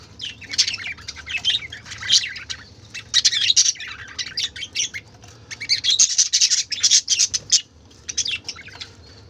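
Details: Budgerigars in a lively colourful flock keep up loud chattering: bursts of shrill chirps and scratchy warbles with brief lulls between them, over a low humming background.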